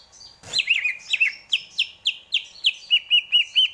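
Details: Greater green leafbird song: after a rough burst, a steady run of about a dozen clear looping whistled notes repeated several times a second, gradually settling lower in pitch.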